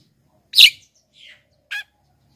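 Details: Black-winged myna song, used to lure wild mynas and to prompt lazy captive singers. Three harsh, noisy notes: a loud buzzy burst, then a faint short rasp, then a briefer harsh note, against a quiet background.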